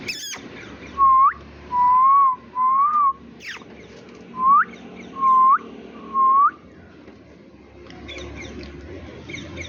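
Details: Green Indian ringneck parakeet kept as a pet, chirping in a human-like manner: seven smooth whistled notes that bend up or arch, in two bursts separated by a short pause, indoors with a faint background hum.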